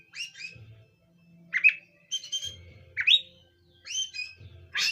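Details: Sparse magpie-robin song: short whistled and upslurred notes with pauses between phrases, over a faint intermittent low hum.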